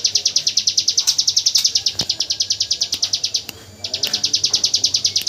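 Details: Hill prinia singing in the rapid-fire 'tembakan AK47' style, used as training audio for white-rumped shamas: a fast machine-gun string of high, sharp, evenly spaced notes, about eight per second, with a brief pause near the end before it resumes.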